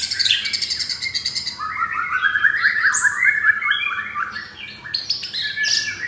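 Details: White-rumped shama, pied F4 captive generation, caged in Jakarta, Indonesia, with a harsh 'materi kasar' repertoire. Opens with rapid buzzy trills, then a fast run of rolling whistled phrases and sharp chip notes.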